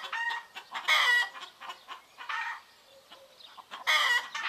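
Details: Roosters and hens in the Greek countryside in the morning, with turkeys nearby: short harmonic squawks and crow fragments at about one second and four seconds, with softer clucks and chirps between them.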